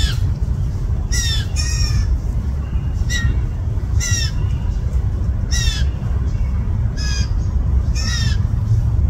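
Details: Young blue jays, at least two fledglings in a yard on June 20, 2024, hungry and pleading for food: separate, short, harsh downslurred squawks spaced one to two seconds apart, over a steady low rumbling background.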